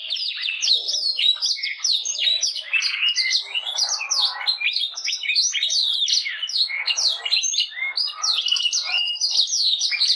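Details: Canary delivering a busy, unbroken warble of crisp chirps and quick downward slurs, loud and steady throughout.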